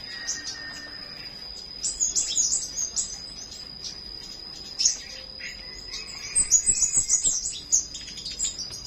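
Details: In the morning, a flowerpecker delivers bursts of quick, very high chips and trills, clustered near the start and again toward the end, over a continuous shrill insect-like drone.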